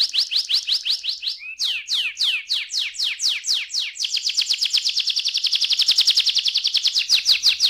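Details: Canary song meant to spur young canaries into full song: fast down-slurred notes repeated several times a second, a brief break, slower slurs, then a dense rapid trill to the end.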